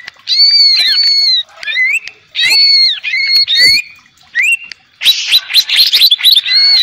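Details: Greater green leafbird, a cucak ijo kept as a cage bird, singing loud clear whistles that arch and dip between two pitch bands, interspersed with sharp chips and a burst of scratchy, busy notes near the end.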